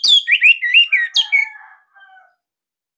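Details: Bali orange-headed thrush song, used to prompt silent or young captive birds to sing: a rapid string of looping whistled notes that descends in pitch and fades into soft, lower trailing tones.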